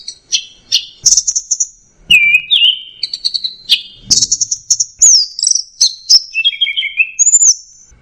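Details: Anis merah, or orange-headed thrush, in 'teler' song: a dense medley of bright whistles, chirps and short trills shifting between high and middle pitches, almost without pause.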